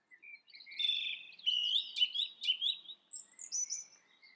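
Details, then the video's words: Turdus philomelos delivering loud varied phrases, warbled notes rising and falling in quick sequence, ending with a series of shrill high notes. "The song thrush – Turdus philomelos"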